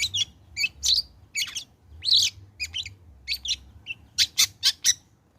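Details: Post-moult (trotol) long-tailed shrike singing, used as a lure to set other shrikes singing: busy high chirps, squeaky twitters and short buzzy bursts, ending in four quick sharp notes, with low background hum.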